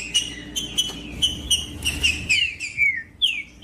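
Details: Green-winged saltator singing, used to stimulate other birds to sing: a run of clear whistled notes, mostly flat then slurring downward, delivered in quick succession with short metallic clicks between them.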